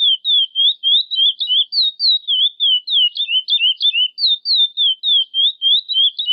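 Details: A chestnut-bellied seed finch sings the classic "praia" song, used for teaching young birds: a clear, continuous run of sweet whistled slurs, rising and falling notes about three per second, with no other sounds.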